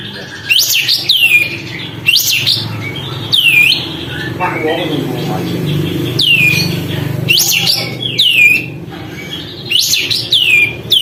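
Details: Sooty-headed bulbul singing vigorously, tail opened, to provoke other birds; loud arched whistles at the start and end, with human voices talking in between.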